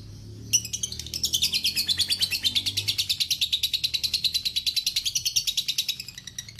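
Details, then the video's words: Long ngekek chatter from a lovebird, masteran recording: after half a second of quiet, a steady high pulsed trill starts abruptly and carries on evenly for six seconds over a low background hum. "Masteran Lovebird ngekek panjang"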